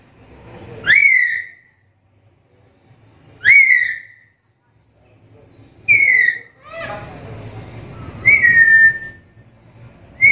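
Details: Black-capped lory repeating its rising-then-falling whistled call roughly every two and a half seconds, with a rougher, noisier burst and a lower note mid-sequence; faint background murmur throughout.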